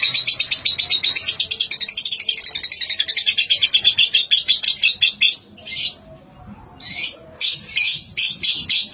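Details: Young lovebird singing ngekek while being tried out on a terrace. A fast, even, rattling chatter runs for about five seconds, then breaks into short, loud chattering bursts.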